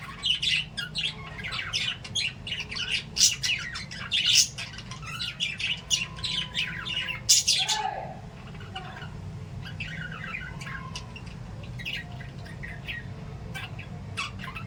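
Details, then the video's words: Playing lovebirds give loud harsh squawks and shrill chirps in rapid clusters for about eight seconds, then softer scattered chirps continue over a faint background hum. "love birds chirping and playing"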